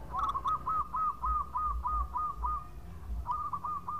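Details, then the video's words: Energetic local zebra dove with a long song for luring: a steady train of about ten soft, arched coos at even spacing, a short break, then more, with faint low background rumble. "Perkutut Lokal Gacor Suara Panjang buat Pancingan"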